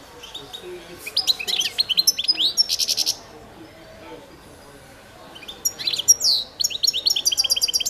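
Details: European goldfinch of the Balkan subspecies, carduelis balcanica, in a 2022 World Championship song competition recording: rapid high twittering phrases with buzzy trills and quick sweeping notes, broken by a brief pause.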